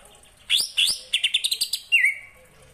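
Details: Greater green leafbird singing a phrase stuffed with kapas tembak imitation. Two bright upslurred notes lead into a rapid string of crisp, high chips, and a clear falling whistle ends it.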